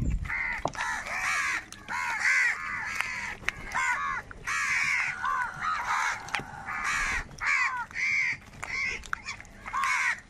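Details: A large flock of crows fighting for food, many harsh overlapping caws with arched harmonic bands, calls packed densely and answering one another throughout.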